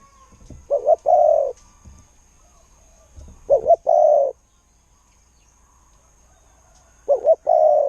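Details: Spotted dove, a decoy bird with a good 'koo-ang' voice, gives three cooing phrases. Each phrase has two short clipped notes and then a drawn-out low coo, spaced a few seconds apart in stillness.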